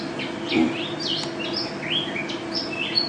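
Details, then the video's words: National champion mountain white-eye singing in gacor style, with quick high chirps and sweeping whistles, some rising and some falling, scattered through a jumbled warble. A short low thump and background hum are also heard. "Pleci Juara 1 Nasional pleci Gacor juara nasional teler gacor ropel"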